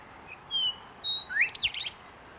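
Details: A Western Meadowlark named Winston in Helena, Montana, gives a few clear, high whistled notes, then a quick burst of rising, gurgling slurs. The background is quiet.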